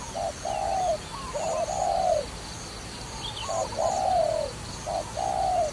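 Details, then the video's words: Dove from a trapping recording delivers soft low coos in pairs, a quick lead note then a longer sustained coo, about four pairs, plus a faint higher chirp between them and light background hiss. "Wonderful Trapping Dove"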